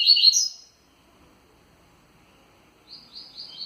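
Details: A rusty-collared seedeater gives a spirited Tui Tui song. A loud chirping phrase fades into a long quiet gap before a softer string of repeated high notes resumes.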